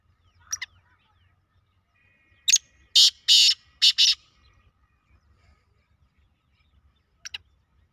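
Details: Black francolin calling: a loud, harsh burst of four grating, broadband notes in quick succession, framed by a few faint chirps before and after, over a low background hum.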